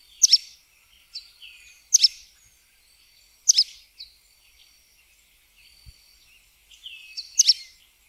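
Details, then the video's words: Sooty tyrannulet giving high, sharp chip notes in quick pairs, repeated at uneven intervals, while other small birds twitter faintly behind. "Joao Pobre - Canto"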